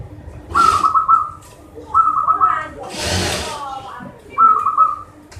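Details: Local zebra dove cooing meant to stir up doves reluctant to sing: three short, rolling coo phrases, each a quick burst of repeated notes, separated by pauses, with a person talking in between.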